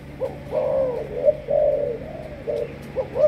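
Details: Malaysian spotted dove kept as a caged breeding bird, giving a low soft cooing phrase of several hoarse rounded notes, with a faint steady hum in the background.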